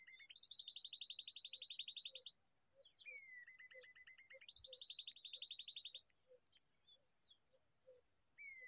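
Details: Babbler at its nest in a date palm: long rapid chattering runs of high, even notes alternate with short downslurred whistles, over a steady shrill insect drone and soft low ticking beats.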